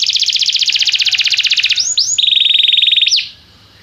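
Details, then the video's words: Belgian canary in full song as singing training: a fast buzzy high trill, two looping swooping notes, then a lower, smoother rapid trill ending in one upswept note before quiet. "Estimulação para que o seu canário cante com diligência - o melhor treino para canário belga"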